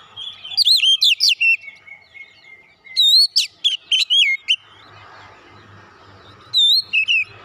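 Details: Oriental magpie-robin singing fighter-character therapy song meant to stimulate untrained birds: bright whistled notes, rising and falling slurs, a held note, then a quiet gap with low background hum before a final short burst.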